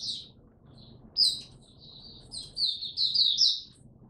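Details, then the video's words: Caged white-eye in Singapore, kept as a hobby songbird, finally starting to sing again, recorded 31 July 2023: high, thin twittering phrases, a short chirp, then a rising run of rapid sweet warbles toward the end, over low background hum. "Mata Puteh Buka Sing"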